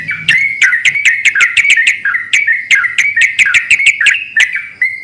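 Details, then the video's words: Lure recording of Yellow-vented bulbuls answering each other loudly: a stream of short, slurred chirps punctuated by sharp clicks, phrases running almost without pause. "pancingan burung trucukan gacor saling bersautan"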